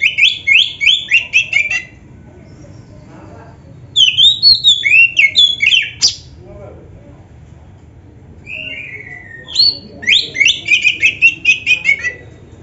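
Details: Training recording of a singing oriental magpie-robin rich in fill-in phrases: three bursts of rapid, chattering whistled notes separated by short pauses, with one smooth descending whistle before the last burst.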